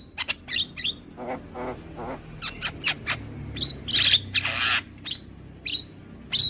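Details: Javan myna used as a tutor song for young birds; staccato clicks followed by loud hissing, rasping bursts and short high whistles, uneven rhythm, soft hum in the background.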